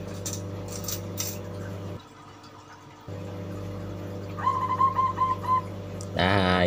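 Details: A caged young zebra dove, hand-raised and under a month old, already calling, gives a brief, quick run of soft, mid-pitched coos over a steady electrical hum; a man starts talking at the end.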